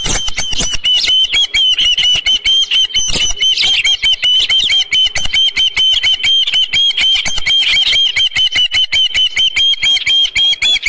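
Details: Osprey at a ranch nest with a headless fish, 27 June 2018 around 12:48 PM: a long run of loud, shrill whistled chirps, roughly two a second, each note sharply clipped and rising at the end, continuing without pause.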